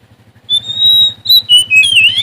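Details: A Sumatran oriental magpie-robin singing in search of a rival gives a long, clear high whistle, then a quick run of varied, slurred whistled notes, over a faint, steady low engine-like throbbing.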